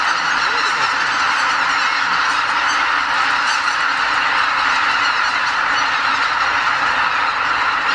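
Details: Before daybreak at Lake Miyajimanuma, a Ramsar wetland in Bibai, Hokkaido, a record flock of nearly 80,000 greater white-fronted geese departs its roost during spring migration. An unbroken, dense wall of honking calls fills the whole recording.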